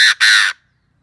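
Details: Caged Chinese francolin used as a decoy to draw in wild birds gives two loud, harsh, rasping notes in quick succession. The first is short and the second longer, followed by silence.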